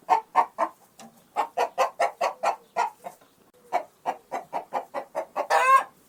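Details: Angry chicken: loud, rapid clucking in steady bursts of about four to five notes per second, with a short pause midway, ending in a harsh rising squawk.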